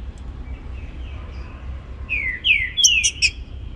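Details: Morning song of a green-winged saltator in the baruc style: after a quiet start, three bright whistled phrases slide downward, followed by a cluster of sharp, high chirps over steady low background hum.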